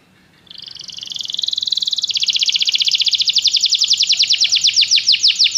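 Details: Canary song for training a bird to sing: it opens softly and swells into a loud, buzzy two-toned roll, then shifts to a fast, even series of sharp pulses that grow more separated toward the end.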